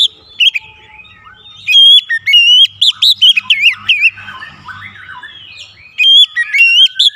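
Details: Oriental magpie-robin (kacer) singing varied fill-in song, used as therapy to stir other birds to sing: loud whistled phrases with rising and falling slurs and sharp upslurred notes in bursts, a quiet pause mid-clip, a low hum underneath.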